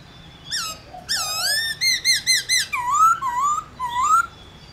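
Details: Black-throated laughingthrush singing to stimulate other laughingthrushes: a lively run of loud whistled notes, first high and clipped in quick succession, then lower, rising slurred whistles repeated about every half second.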